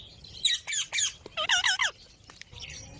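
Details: Green parrots giving loud, rasping squawks in quick succession, then a short burst of curving, looping tonal notes, with faint quieter chatter at the end.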